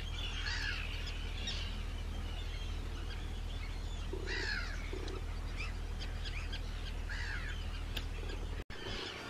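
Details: Arctic terns calling in one of the largest Dutch breeding colonies, Rottumerplaat, 4 June 2023; repeated harsh, downslurred calls every second or two amid a colony chorus, over a low rumble, with a brief dropout near the end.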